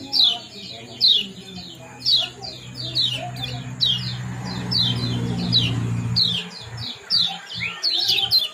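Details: Lemon-bellied white-eye (kecial kuning) giving ciak-ciak and jos calls, used to bring birds into breeding condition: sharp high chirps in short bursts roughly once a second, over a low engine-like hum.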